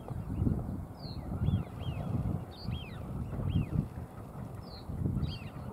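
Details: Male American wigeon at a marsh in sunlight giving soft, breathy whistles that rise and fall, repeated about every second, over a steady low rumble of wind or water.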